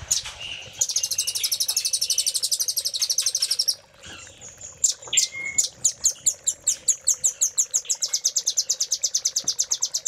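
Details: Caged-bird training recording of a velvet-fronted nuthatch, Cililin fill style: a long, dense, very high buzzy trill, a brief pause, then sharp, high notes that quicken into a rapid, even chirping run.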